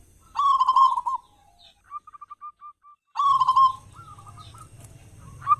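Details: Zebra dove of a local type, a loud singer serving as a lure for other doves in the morning and evening. Two rolled coos are separated by a soft run of quick, evenly spaced notes, with low rumbling behind.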